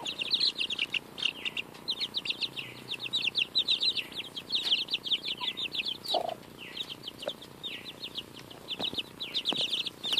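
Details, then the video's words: Baby chicks, almost two weeks old, pecking at a strawberry while feeding, giving a steady stream of high, thin, downslurred peeps that overlap rapidly throughout, with a few soft taps and rustles beneath. "Adorable Baby Chicks Eat a Strawberry!"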